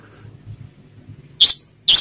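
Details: Orange-headed thrush giving a slow "ngeplong" song, two bright, high notes about half a second apart, each a quick clear phrase, after a quiet stretch with faint low background hum.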